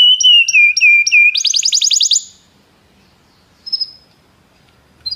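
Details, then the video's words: A Belgian canary sings to encourage other canaries: a level whistled note with quick repeated chips, then a fast buzzy trill, followed by near silence broken by two brief chirps. "canário especial para seduzir todos os canários - canário belga cantando"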